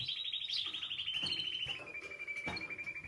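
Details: Spanish timbrado canary singing for training: a long continuous rolled trill sliding gradually lower and ending as a steady pulsing tone, with some background knocks.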